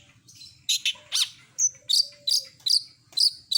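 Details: Cendet, the long-tailed shrike, delivering mimicked song: quick high twittering chirps and sharp squeaky notes in a fast, uneven run, with one long thin low whistle underneath.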